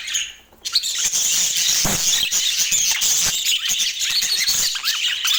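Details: Budgies in Portland: after a brief quieter moment, loud, busy chirping and squeaky warbling start up and carry on, with a few dull knocks.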